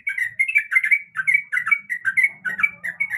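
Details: Calling female sooty-headed bulbul in breeding condition summoning the male, a rapid, bubbly chatter of bright chirps in tight bursts of two or three notes, over a faint low buzz.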